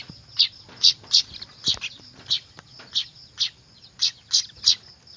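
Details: Noisy weaver (manyar) chicks used as a lure: clear, loud high chirps repeated about every third of a second to half second in an uneven series, with a faint steady whine.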